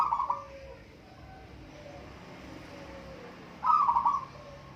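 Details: Zebra dove in a local singing contest: a phrase cut off at the start, a long quiet gap with faint low tones, then one loud burst of rapid, rolling coos near the end.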